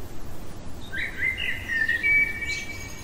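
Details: Common blackbird singing in the middle of the night: a fluted, warbled phrase of rich whistles between about one and two kilohertz-range tones, rising into higher thin twittering notes at the end, over a steady low background hum.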